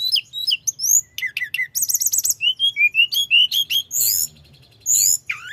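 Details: Mountain flowerpecker (tledekan gunung) singing vigorously in a rolling, continuous style meant to provoke rival birds: a rapid stream of thin, very high chirps, trills and downslurred whistles with short buzzy bursts, over a faint low hum.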